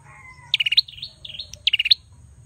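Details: Bar-winged prinia male giving two bursts of rapid stuttered buzzy notes, each ending with a bright upward flick, linked by softer looping whistles; quiet background hum.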